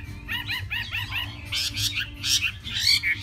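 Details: Hwamei singing a quick run of repeated rising-falling whistled notes, then a burst of harsher, noisier scratchy notes, with a steady low hum beneath.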